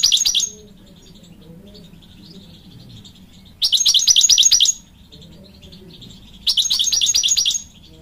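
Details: A European goldfinch sings bright, tinkling bursts of rapid high twitters, each about a second long, returning roughly every three seconds over a faint low hum.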